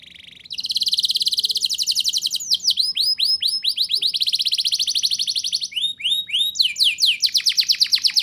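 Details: Canary singing a rolling, energetic song meant as a prompt for young canaries: a steady high note, then long fast trills of bright repeated notes, shifting into descending swept syllables and quicker rolls.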